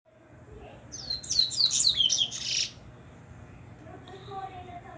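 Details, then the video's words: Plump double-collared seedeater coming out of moult gives a quick burst of high, sweet whistled notes, rapid and varied, lasting under two seconds, over a faint indoor background hum. "coleiro "gordinho" voltando de muda"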